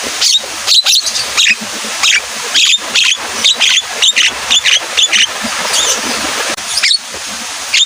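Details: Javan myna (jalak kebo) in full, energetic song, which the keeper says grows more frequent in the rainy season. A fast run of sharp, harsh, high chattering bursts, several per second with brief pauses, over a steady hiss.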